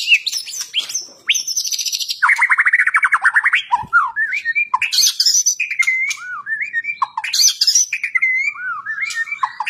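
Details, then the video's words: Energetic, aggressive fighting-style song of a well-kept caged white-rumped shama: a harsh squawk-like rasp, then rapid scratchy notes and a run of bright looping whistled phrases. "Murai Batu, gaya tarung suara pedes ngotot dan enerjik"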